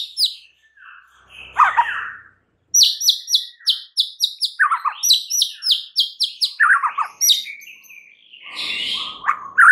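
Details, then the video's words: Lure song of a white-rumped shama, played to make other shamas agitated: rapid repeated high chips interrupted by lower, buzzy descending phrases, rich and varied throughout. "SEKALI PANCINGAN Murai Batu anda langsung NAIK EMOSI mendengarnya"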